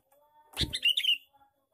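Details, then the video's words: Male sooty-headed bulbul giving a lively lure call used to attract birds: one brief bubbly burst of chirping notes, faint tones in the background. "suara pikat burung kutilang jantan gecor cor cor"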